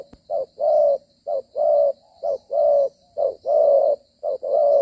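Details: A trapped wild spotted dove in Vietnam, late afternoon around dusk after days of rain, 25 September 2023, gives low, hollow coos in repeated pairs, a short note then a longer drawn one, about once a second.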